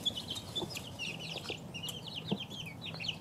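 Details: Two-week-old chicks calling in a dense stream of high, slightly downslurred peeps, several birds at once, over a quiet low background hum.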